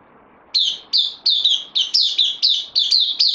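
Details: Bulbul kept in a cage, newly arrived on loan, 12 September 2020: after a quiet half second, clear high chirps start, each note dropping quickly in pitch, repeated roughly three to four times a second in a steady series.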